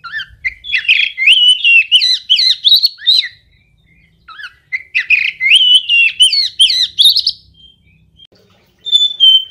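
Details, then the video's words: Oriental magpie-robin in a rich, continuous song of rising and falling whistles and rapid chirps, two long bursts split by a short pause, ending in a lone high whistle. "Kompilasi Suara Burung Kacer Berkicau Gacor"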